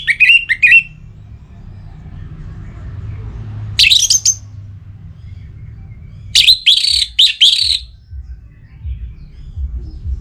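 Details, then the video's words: Orange-headed thrush, in breeding condition and calling a rival, sings separated bursts: a quick slurred phrase, a short high flourish, then several rapid strongly modulated notes, with quiet low hum between. "ANIS MERAH Gacor Pancingan Birahi & EMosi Burung || Kicau memanggil lawan"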